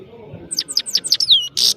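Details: Short phrase from a European goldfinch, the saira of Parachinar: five quick, falling, high chirps, a drawn downward slur, then a brief harsh buzz.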